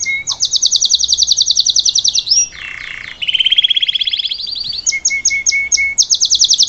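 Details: Salsa canary giving tutor song for a young canary: a fast high trill, a brief low buzzing roll, a slurred middle tour, then chopped high notes with faint low whistles beneath.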